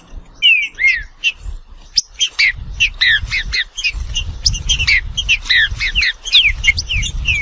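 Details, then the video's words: Green-winged saltator song: dense run of loud, slurred whistled notes, many dropping in pitch, overlapping as if several birds sing at once, with a low rumble of background noise beneath. "Seu Trinca Ferro vai pegar fogo em 15 minutos"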